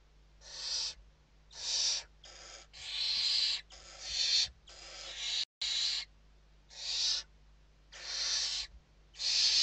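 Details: Loud, close rasping hisses from Western barn owls in their nest in Spain during an evening feeding on 29 November 2023, a dozen harsh snoring bursts in under ten seconds, one broken by a sudden silent cut.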